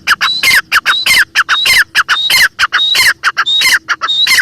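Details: Female grey francolin, known locally as Irani teetar, calling: loud, harsh, rapid notes in a busy repeated series, about one and a half per second, each bursting broadly with a rising, squeaky upper tone.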